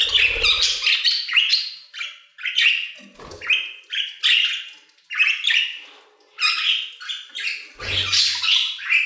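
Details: Budgerigars singing in an aviary in distinct bursts of warbling, each a quick run of chirps, squeaks and buzzy notes separated by short gaps, with occasional low thumps.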